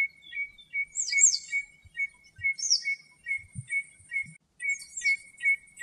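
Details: Common redshank (Tringa totanus) sings in its natural habitat in Greece: a steady run of clear, mid-pitched piping notes, two or three per second, with higher, thin sweeping whistles of other birds and soft thumps.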